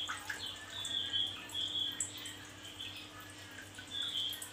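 A male Javan grey-throated white-eye sings short bursts of high, thin twittering phrases with brief pauses between them, over a faint steady hum.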